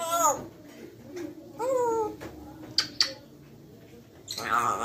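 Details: Grey parrot, friendly and talking, utters rich harmonic notes that rise then slide down, two sharp clicks, and a final burst of chatter, in a small room with a low background hiss.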